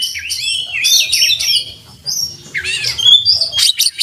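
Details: An oriental magpie-robin sings a loud, varied song with its beak wide open, full of learned phrases. High whistles slide up and down between sharp chirps, and a brief pause breaks the middle.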